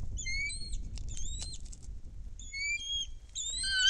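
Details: Bald eagle at a nest cam in Kisatchie National Forest, 10.12.2023: a foreign female flies into the nest with a fish while another eagle is in the air. High, thin whistled notes come in short, slightly falling bursts over low wind rumble.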